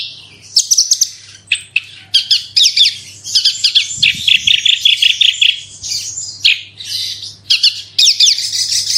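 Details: Javan bush lark singing, used as a lure to prompt other larks to sing: a long, rapid, varied run of high chirps, trills and buzzy notes with brief pauses, over a faint steady low hum.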